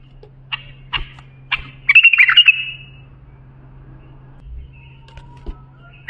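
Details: Bulbul song used for training young bulbuls: a few short chirps, then a burst of rapid warbled notes near the middle, followed by quiet with scattered faint notes and a steady low hum.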